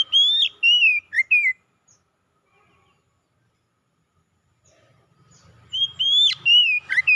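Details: Oriental magpie-robin (kacer) song in two bursts of loud whistles and sharp slurred notes, separated by a long quiet pause. A faint low rumble comes under the second burst.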